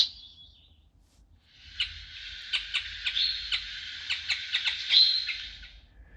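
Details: A Brambling, an autumn arrival on the east coast from Scandinavia, gives a long, drawn-out, wheezy nasal call lasting several seconds, crossed by sharp ticking clicks, after a brief higher note at the start.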